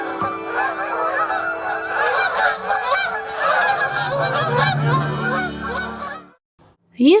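A flock of sandhill cranes gives a dense chorus of overlapping rolling, trumpeting calls for about six seconds, over a low steady musical hum, before cutting off.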